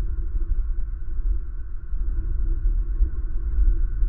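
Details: Continuous low rumble and faint steady hum, with no animal calls present.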